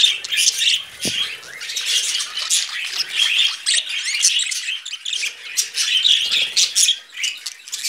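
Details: Budgerigar brothers perched on a hand chatter busily, a rapid jumble of buzzy squawks and thin chirps, with a single low knock near the start.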